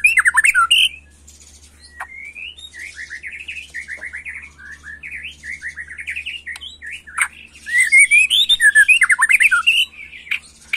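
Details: White-rumped shama, agitated, delivering 'macul'-style song: a long string of short, slurred whistled notes at a steady mid pitch, framed by loud, rapid warbling bursts at the start and end.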